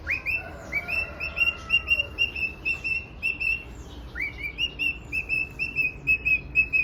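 A male cockatiel sings a run of bright, rising whistles and chirps to attract a female.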